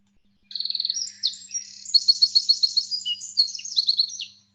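A Wren's loud, high song: about four seconds of fast trills and sharp notes, opening with a rapid machine-gun rattle, with nothing else heard.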